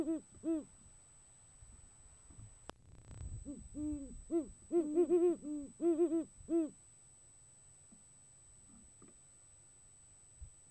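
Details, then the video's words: Great horned owls in January courtship, the male wooing the female: two deep hoots, a click, then a lively burst of overlapping hoots of slightly different pitch, followed by several seconds of quiet. "A how to guide for "date night" for a male Great Horned Owl"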